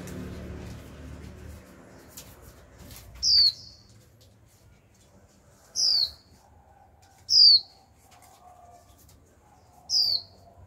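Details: Young female Japanese white-eye in a cage giving repeated 'chíu' calls intended to spur a male into song. Four loud, high whistles sliding downward, about one to two and a half seconds apart, after an initial low murmur.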